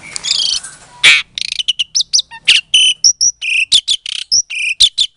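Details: Captive-bred Asian pied starling from Klaten, Indonesia, recorded February 2022, singing to provoke silent starlings into replying: a rapid stream of short harsh chirps and clipped whistles, densely repeated, after an opening rasping phrase.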